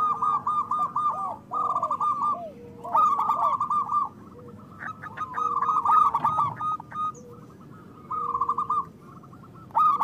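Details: Local zebra doves with loud voices, used as a lure for trapping and to prompt quiet doves to sing: several overlapping rolling, trilled coo phrases, mid-pitched and bubbling, with softer drawn-out notes beneath, continuous across the recording.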